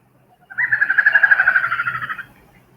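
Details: A Malabar grey hornbill, endemic to the Western Ghats, recorded around Mollem, Goa, gives a rapid cackling run of about twenty mid-pitched notes over nearly two seconds, much like a small child laughing.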